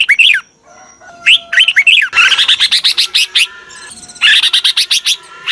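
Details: Red-whiskered bulbul calls used to lure wild birds: loud, chattering strings of bright, warbled notes with rising and falling phrases, a dense run in the middle and another burst near the end.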